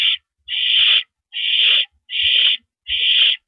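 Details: Owl on a porch perch at 8:17 PM, April 9, 2012: four long breathy screeches, evenly spaced with clear silent gaps, plus the tail of another at the start.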